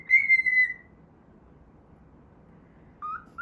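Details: Pet cockatiel singing the Pythagora Switch opening theme while playing: one long, level whistled note that trails off, a silent gap, then short rising whistles, over steady low background noise.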